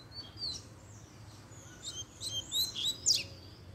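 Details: Excited by a female showing up, a double-collared seedeater gives a softer, scattered series of thin, high whistles and chirps that grow louder and busier toward the end.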